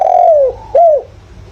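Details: Decoy spotted dove calling to stir wild doves into answering: a long falling coo followed by a shorter arched coo, loud and clear against a quiet low hum.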